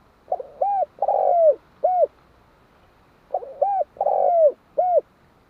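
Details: Two identical cooing phrases from a spotted dove about three seconds apart, each a quick stutter, a clear coo, a long buzzy falling note and a final soft coo, with a faint low hum between.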